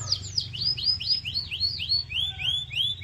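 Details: Canary song meant to stimulate other canaries to sing: a fast series of bright downward-sweeping whistled notes, about four per second, over a faint low hum.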